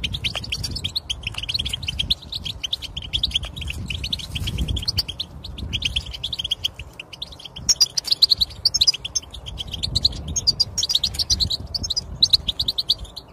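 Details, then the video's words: Song of a European goldfinch, played to get a silent goldfinch singing: a long continuous chattering twitter of quick high tinkling notes with brief buzzy trills, steady throughout, low hum beneath. "بتبتة للحسون الصامت يتكلم مجربة ومضمونة"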